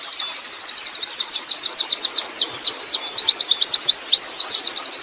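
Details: Wild Oriental white-eye in 'ngerol' rolling song: nonstop high twittering, rapid trilled notes mixed with varied swooping slurs, about four notes a second, loud and clear against a quiet background.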